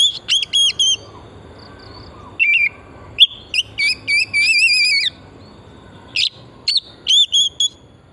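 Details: Oriental magpie-robin (kacer) lure song meant to trigger singing: quick whistled phrases mixed with longer quavering, trilled whistles and bright chips, delivered in rapid succession.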